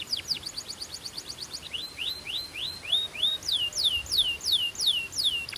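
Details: Belgian canary singing to warm up birds and stimulate hens: fast repeated slurred notes, then a series of rising whistles, then about seven loud falling whistled sweeps at steady pace.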